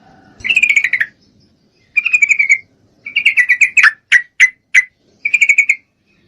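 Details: Female yellow-vented bulbul in breeding condition calls a male with four rattling chatter bursts, each about half a second long. One burst breaks into a row of separate sharp chips.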